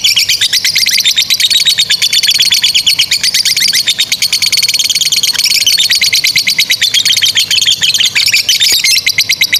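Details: Long 'ngekek' chattering song of a lovebird, used to coach young and silent lovebirds: a continuous shrill stream of rapid squeaky pulses, dense and steady, with small pitch shifts.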